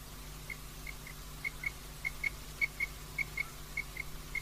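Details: A female common quail calling at night gives short, high, clipped pips, often in pairs, repeated about twice a second over a low, steady hum.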